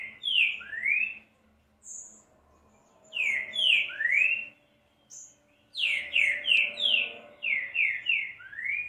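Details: Green-winged saltator song played to warm up a bird: three loud phrases of slurred whistles falling then rising, the last phrase a longer run of six or seven notes.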